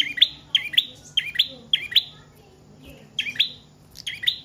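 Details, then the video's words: Prinia song meant as a lure and as a tutor for other cage birds: sharp paired chirps repeated in quick bursts, with a pause before the phrases resume, over a low steady hum. "Prenjak Trotol/Paot Gacor Panjang Cocok Buat Pancingan/Masteran Burung Anda"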